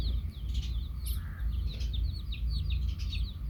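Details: Chicks with their hen keep up rapid high peeps, each sliding downward, many overlapping in a dense chatter over a deep, constant rumbling background.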